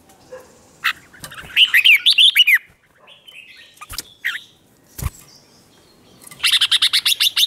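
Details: Red-whiskered bulbul fighting song to provoke rivals: a run of bright warbled whistles, scattered single notes, a couple of sharp knocks, then a fast, buzzy series of repeated notes at the end.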